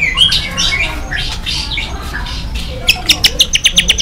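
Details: Agitated white-rumped shama, whose song is meant to draw replies from rival shamas: soft slurred whistles at first, then a fast run of sharp, evenly spaced clicking notes at the end.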